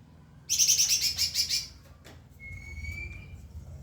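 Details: White-rumped shama song used to train other birds: a loud, harsh, rapidly pulsing high trill for about a second, then a sharp note and a thin level whistle, over low rumble.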